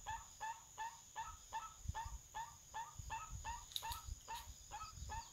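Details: A crested guan in forest by a forest farm in Panama gives a steady run of short, nasal honking yelps, nearly three a second, over a thin high whine and low rumbling.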